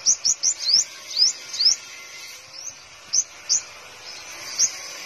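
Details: Five-colored sunbird in a cage in Tân Phú, Đồng Nai, Vietnam: a quick burst of five high rising notes, then scattered single upslurs spaced about half a second to a second apart.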